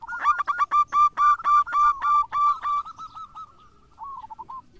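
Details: Local zebra dove singing strongly as a lure for other doves: about a dozen loud, clear, ringing notes in quick succession, fading into softer trilled coos.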